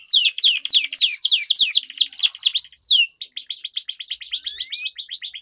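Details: Competition-training canary song from two birds in a duel: swooping downslurred whistles give way to a long, fast, even roll of repeated notes.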